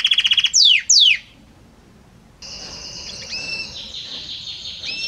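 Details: Belgian canary song: a rapid high trill and two quick falling sweeps, a moment of quiet, then a softer continuous warbling trill with whistled overtones.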